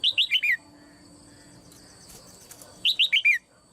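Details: Caged female red-whiskered bulbul calling to spur other birds into strong song: two quick phrases of four bright, downward-sliding whistles separated by a pause with faint clicks and rustling.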